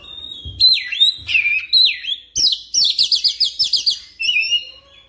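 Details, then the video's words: Kacer singing as a lure to trigger a fast continuous roll. A steady thin whistle is followed by bold downslurred phrases, then a quick, even burst of bright, repeated chirps and a short closing trill. "PANCINGAN KICAUAN KACER CEPAT NGEROL"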